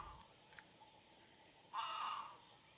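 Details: Harsh, grating call of a great crested grebe on the Nemunas in Lithuania, one loud braying note of about half a second near the end, after quiet outdoor background with a faint tick or two.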